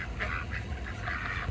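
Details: Two male and one female Pekin ducks walking by Muscovy ducks one afternoon at an apartment-complex lake in Oviedo, Florida, give nasal, raspy quacks in short bursts, three or four within a second and a half, over low rumble.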